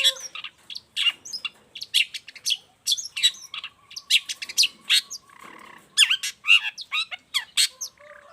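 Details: A long-tailed shrike sings hard, serving as a master model and a lure for other shrikes: a rapid jumbled stream of sharp chips, slurred whistles and scratchy notes, with a faint steady tone in the background.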